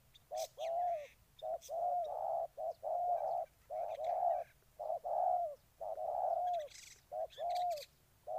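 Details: Spotted dove from Ninh Thuận giving a steady series of hollow coo phrases, each a quick short note then a longer falling one, repeated roughly every second, with occasional distant high chirps.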